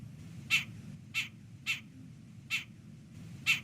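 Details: Jungle babbler giving five or six harsh, nasal, rasping calls, spaced unevenly about a second apart, over a faint low hum; likely the contact call a group member gives when left behind, which the group answers.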